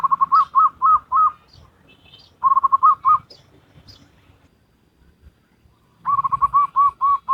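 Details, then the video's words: Wild zebra dove performing the Salendro rhythm song: three bursts of bubbling, evenly paced coos, each a string of rounded notes, separated by pauses with faint higher chirps from other birds. "Perkutut Lokal Alam Manggung Gayer Irama Salendro"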